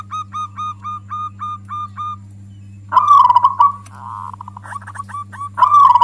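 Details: Local zebra dove singing loudly, a song said to anger other doves and used as a lure. A run of short, evenly spaced, clear coo notes is followed by louder rolling, trilled phrases, with a steady low electrical hum underneath.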